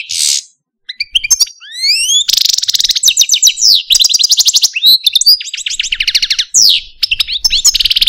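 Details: Algerian Parva goldfinch, a caged pet male, gives a complex song: a buzzy note, several upward-sweeping whistles, then long chains of quick metallic trills and tinkling rattles.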